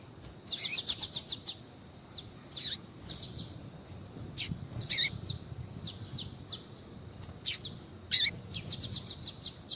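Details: Female double-collared seedeater (Sporophila caerulescens) calling, used to stimulate males to sing, gives high, thin chip notes in quick rattling bursts with pauses between groups over a quiet background.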